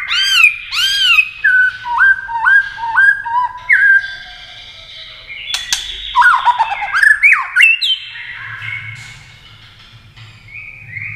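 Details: Contest song of a white-rumped shama that flicks its tail and clicks, used to rouse singing rivals: arched repeated whistles, then stepped notes, a cluster of clicks and tangled warbling, fading into a soft whistle.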